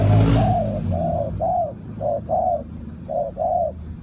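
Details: Decoy spotted dove calling on the ground to attract wild doves into a trap: soft, slightly arched coo notes in uneven pairs and triplets, a brief engine-like noise at the start, and a faint thin high whistle in between.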